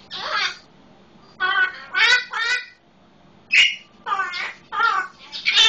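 An Eclectus parrot gives about eight harsh, squawking calls in under six seconds, mimicking a red-lored amazon. The calls are rasping, with uneven gaps between them.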